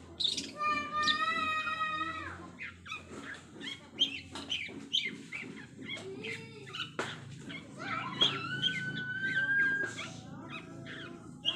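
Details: Long-tailed shrike practising rich mimicked fill-in sounds, delivering harmonic whistled phrases, slurred descending notes and rapid chattering chips, with a long rising-falling whistle later on and a low background hum.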